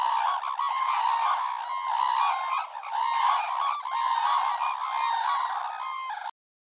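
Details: Red-crowned crane (Grus japonensis) calling continuously: loud, harsh, trumpeting honks blend into an unbroken rolling chorus that ends abruptly.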